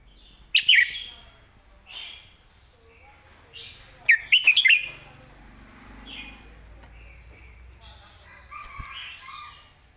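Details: Caged red-whiskered bulbul delivering its master-pattern song: loud bright warbled phrases roughly every three to four seconds, with quieter whistled notes filling the gaps.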